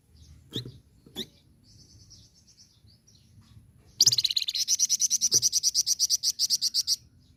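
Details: Red-fronted serin, known locally as flamboyan, giving a chattering rolling song for teaching other birds: faint thin whistles and clicks first, then a steady high buzzy trill of about twenty-five evenly repeated notes lasting three seconds.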